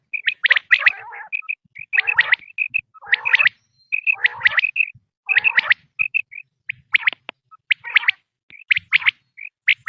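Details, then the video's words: Quail calling on a hunting lure recording: repeated phrases of clipped whistles and sharp descending chirps, roughly one burst every second, with short pauses between groups. "sound of btair 2023/بٹیر کی لاجواب کیسٹ"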